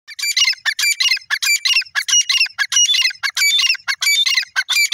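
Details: Grey francolin, known locally as dakhni irani teetar, calling loudly: harsh, scratchy, buzzy bursts repeated rapidly, about one and a half per second, in a steady unbroken series with no other sounds.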